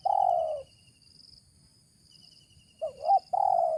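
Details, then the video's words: Spotted dove (tekukur) with a deep 'ngeruk' voice, praised as fit for use as a decoy: one low hoarse coo, a pause, then a short wavering note leading into another drawn-out coo. "suara ngeruk ini joki sampai batuk batuk // layak dijadikan pikat"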